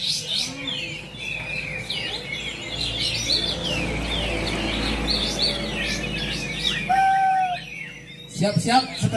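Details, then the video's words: Bulbuls, locally called kapas tembak, singing in a bird-song contest class at Bonjol, Pasaman Timur: dense overlapping chatter of quick whistled and buzzy phrases, rapid and irregular, with a brief steady whistle near the end and low crowd murmur. "Liga Kicau Pasaman Seri 1 Bonjol || Laga silaturahmi kicau mania pasaman|| Kelas Kapas Tembak"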